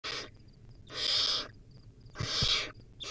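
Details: Wild baby barn owl filmed by a nest camera while feeding on a rodent: harsh, breathy hisses of about half a second, three in quick succession roughly a second apart, with faint high ticking notes in the pauses.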